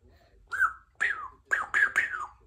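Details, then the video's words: Pet female Congo African grey parrot, three years old, chatty indoors: short voiced syllables, each sliding down in pitch, given in quick bursts like clipped words. "African Grey Parrot is a chatty girl today"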